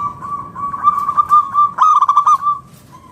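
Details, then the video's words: Local zebra dove of wild stock, a lure to make other doves answer: a steady held tone breaks into one loud run of quick, bubbling staccato coos before fading back to a faint note. "PERKUTUT LOKAL GACOR SUARA PALING AMPUH UNTUK PANCINGAN BURUNG PERKUTUT AGAR NYAUT BUNYI GACOR"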